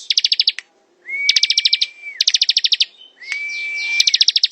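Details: Bar-winged prinia (ciblek) singing in the ngebren style: fast bursts of sharp, evenly spaced high ticks, each burst under a second, with a steady thin whistle drawn out beneath the pulses between bursts.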